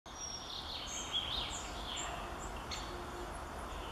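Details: A collared flycatcher at Komorów ponds on 13 May 2014 sings a slow run of thin, high, squeaky whistles, some sliding, spread over a few seconds against a soft outdoor hiss.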